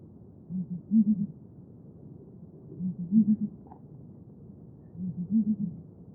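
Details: Deep, hollow booming of a Southern ground hornbill, known to the Xhosa as the rain bird. Three phrases sound, each a soft lower pair of hoots followed by a louder cluster of three, spaced about two seconds apart.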